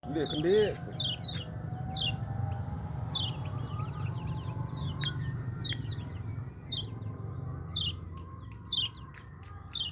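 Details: Hand-raised yellow-vented bulbul giving short, high, downslurred chirps, repeated roughly every half second to second; a man speaks briefly at the start over a low background hum.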